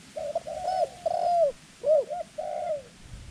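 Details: Dove; coo; decoy bird calling to lure wild doves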